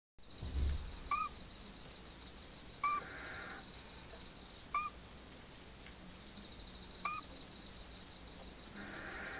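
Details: A pet Eurasian scops owl kept at home giving four short, clear whistled notes, each slightly downslurred, spaced about two seconds apart, over a steady high insect-like hiss.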